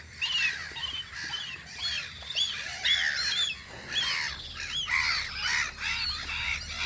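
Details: Several gulls calling at a guard post on Audru polder in spring, with rapid arched, nasal squeals and yelps overlapping one another almost continuously, rising and falling in short bursts.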